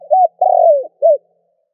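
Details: Spotted dove coo for stimulating newly caught doves to call: a short rising note, a long low coo sliding gently downward, then one brief rounded closing note, with no other sound.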